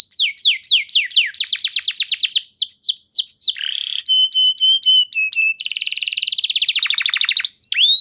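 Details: Canary song used to stimulate other canaries: rapid descending trills speeding up, a short buzzy burst, flat whistled tones, then a dense rolling trill and rising whistles.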